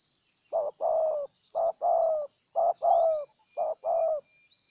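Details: Spotted dove decoy in Ninh Thuận, Vietnam, calling to draw in a wild bird. Four regular pairs of soft low coos, each a clipped note and a longer downslurred one, over faint distant high-pitched chirping.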